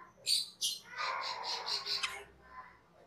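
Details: Cucak keling, a cage bird, singing on a master recording for training cage birds: two sharp high notes, then a run of six rapid buzzy chirps with a lower warble under them.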